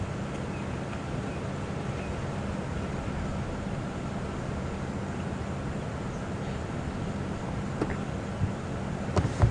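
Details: Constant low engine drone from a vehicle on a morning safari drive, with faint rattles and no clear animal calls.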